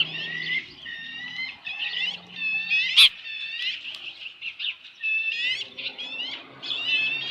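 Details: At a ranch osprey nest on a July 2018 evening, fish delivery: series of clear, high upslurred whistles repeated in rhythmic runs, one sharp loud click near the middle, faint low hum underneath.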